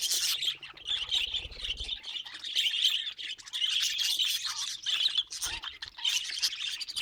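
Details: Budgerigars kept as pets in a busy chorus of rapid high tweets and scratchy warbles, several birds overlapping; a soft low rumble in the first two seconds and a brief thud near the end.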